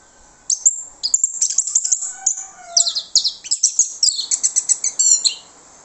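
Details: An orange-headed thrush, recorded as a lure to provoke other orange-headed thrushes into singing, pours out a loud, fast run of high, sharp chirps and trills, varied notes tumbling one after another with hardly a pause.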